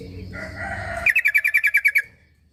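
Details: Sooty-headed bulbul song played to coax a bird that rarely sings: about ten quick, bright chirped notes in a fast one-second rattle, following a low hum with faint tonal sounds.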